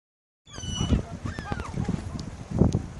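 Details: Seagulls fighting for food: a run of harsh, harmonic squealing calls that fall slightly in pitch, then a few rising and falling cries, over heavy low rumbling and thumping noise.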